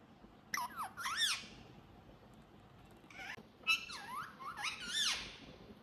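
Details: Ringneck talking parrot kept indoors as a pet, making two separate bursts of quick, bending, squeaky chatter notes with a quiet gap between them.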